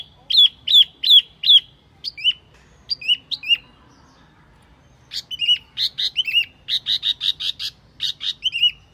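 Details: Wambi calls used to lure birds: a quick run of sharp down-slurred notes, then scattered twisting whistles, a pause, and a dense burst of buzzy, rapidly repeated notes mixed with looping whistled phrases.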